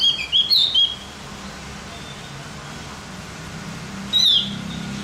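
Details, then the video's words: Javan grey-throated white-eye, played to make other birds more excited, opens with a cluster of sharp high chirping notes, falls quiet, then returns with one brief bright twitter; low background hum throughout. "Masteran buat burung OPIOR JAWA agar tambah emosi"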